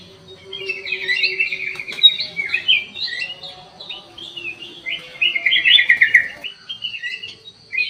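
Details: Black-crested bulbul in an aviary pouring out a busy, jumbled warbling song of quick chirps and slurred whistles in two dense bursts, with a faint low hum in the background.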